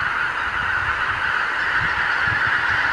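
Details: Huge flock of wild geese assembling on fields in Germany's Lower Rhine region at morning; short burst of dense, even honking chatter from countless birds.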